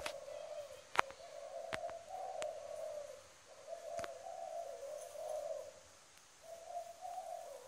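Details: Decoy spotted dove from Tra Vinh cooing: soft, low, hollow phrases in drawn-out groups with short pauses, over a hissy background broken by sharp clicks and knocks.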